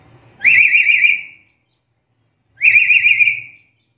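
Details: Black-capped lory giving two long quavering whistles about two seconds apart, each pulsing rapidly in pitch at a steady level, used as a master call for training.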